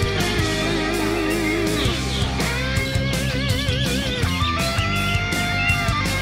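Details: Loud electric guitar music with bends and vibrato over a heavy bass beat; no animal sound.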